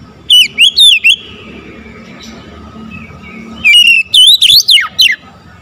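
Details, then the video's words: Morning song of an oriental magpie-robin: two bursts of sweet, wavering whistles separated by about three seconds of near silence, with a faint steady tone running underneath. "OCEHAN KACER DI PAGI HARI"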